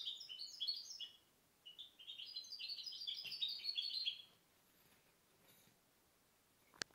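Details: Goldfinch hybrid (mixto de jilguero), bred 2010, pouring out a continuous string of high, liquid twitters for about four seconds, then falling silent apart from a sharp click at the end.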